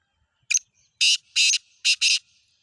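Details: Black francolin, known locally as kala teetar, giving its harsh grating call: one short rasping note, then four longer loud buzzy notes in quick rhythm, all within two seconds, against a quiet background.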